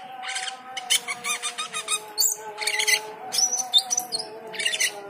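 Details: Cucak keling in full song on hearing the call to prayer: dense, rapid chattering phrases of high chirps, squeaks and whistles, almost continuous, over a steady drawn-out chanted call to prayer.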